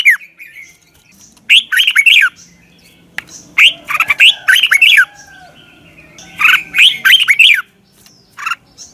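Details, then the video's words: Red-whiskered bulbul giving morning song used as a lure to train other birds to sing. Bursts of bright, warbled, falling notes come in quick phrases of about a second, repeated several times, over a faint low hum. "Luyện chào mào hót sáng"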